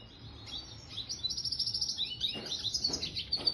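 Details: Song of a red siskin mule in 'gacor' form, starting softly and building into a fast, high twittering warble with trills. A few short clicking knocks are heard in the second half.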